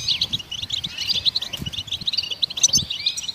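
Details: A short burst of goldfinch song meant to stimulate songbirds, with quick separate high chirps and twittered notes spaced through the stretch.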